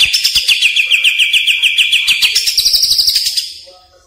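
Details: Greater green leafbird; lure call; lure sound used to train caged birds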